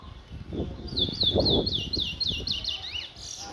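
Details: Chestnut-bellied seed finch from Guyana, a black bird, singing a rapid run of high, sweeping whistled notes repeated about four times a second, with low rumbling background noise and faint voices.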